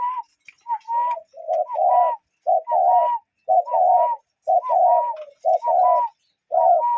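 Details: Real cuckoos call outdoors, giving short-long pairs of low hoots about once a second. A higher, slightly rising note often precedes each pair, suggesting two birds answering each other.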